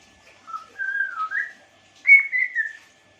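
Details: African grey parrot whistling two short phrases: a wavering sequence of pure tones stepping up and down, a pause, then a brighter rising-and-falling whistle that trails off into quiet.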